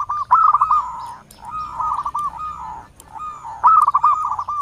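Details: Local Indonesian zebra dove (perkutut lokal) in full long-voiced song, used to lure wild zebra doves: three rolling cooing phrases of quick, hooked notes, each phrase about a second long and separated by short pauses.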